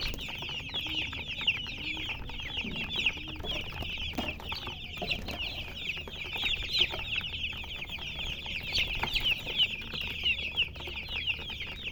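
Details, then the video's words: Colored chickens chirping nonstop, rapid high peeps overlapping into a bright, shrill chorus, with a few faint low sounds in the background. "silly chicken chirping sounds"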